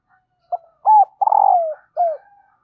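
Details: A female dove calls to stir up a male, a sound said to bring wild birds in fast. One phrase: a short note, a bent coo, a long wavering coo that slides down, then a final hooked note.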